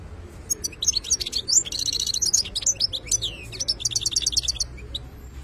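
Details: European goldfinch singing in the khlawi style: rapid high twittering with buzzy trills and sharp rising and falling whistled notes, delivered in two bursts with a short pause between.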